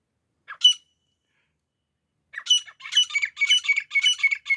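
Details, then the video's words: A pair of grey francolins calling, a recording meant for hunters: one harsh, ringing note, then after a pause a fast run of loud, grating, harmonic-rich notes repeated almost twice a second, building in intensity. "شکاریوں کے لئے دیسی جوڑے کی آواز۔"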